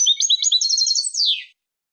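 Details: European goldfinch Malaga song for tutoring chicks and hybrids; a fast twittering warble of rapid repeated notes ending in a long, smoothly descending buzzy slur after about one and a half seconds.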